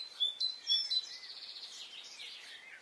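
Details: Birdsong on a spring morning in Brittany, with a few sharp high whistled notes followed by a fainter, blurred twittering that slides gradually downward.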